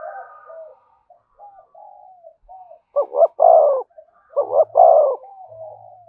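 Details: Spotted dove cooing in the thổ and thúc styles: two loud phrases, each a quick double note followed by a long, low, hoarse coo, with softer murmured notes between.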